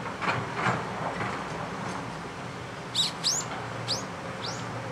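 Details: Series of four high, upslurred whistled notes from a Daurian redstart at a riverside in the Kanagawa mountains, Japan, 16 November 2011, spaced about half a second apart, after softer scattered taps and a steady low hum.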